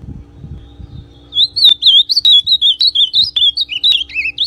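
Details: Brown ultramarine grosbeak singing to get another grosbeak going: after a soft rumbling start, a fast string of clear, twisting whistled notes, rising and falling for three seconds, with a couple of lower dips near the end.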